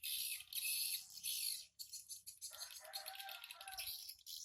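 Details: Swiftlets entering and leaving a simple nest hut at 07:25 on 14 August 2018; loud high rattling chirps, a short gap, then denser twittering with lower trilled notes underneath.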